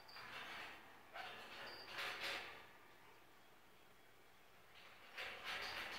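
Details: A pet orange-winged amazon indoors, watching a football game on a Sunday, gives harsh, raspy squawks in four bursts with brief thin whistled notes, grumping at a hit on the quarterback, over a steady indoor hum.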